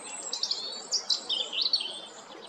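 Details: Robin song from Jarun, Zagreb, Croatia, 13 April 2022: a dense, hurried sequence of high, sibilant, tinkling notes and short trills, rising and falling rapidly, without pause for over two seconds.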